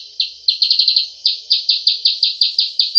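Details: Sooty-headed bulbul giving its 'cep cep' call, an energetic recording used for luring birds: sharp, high chirps in quick bursts, first a fast run of five, then a steady series of about nine evenly spaced notes, with no other sounds.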